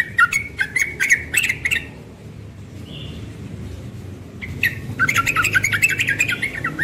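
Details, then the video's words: Young yellow-vented bulbul in the morning giving rapid 'ropel' song: a burst of quick whistled notes, a near-silent gap with a faint soft whistle, then a busier run of chattering, warbling phrases with clicks. "Trucukan muda ropel pagi"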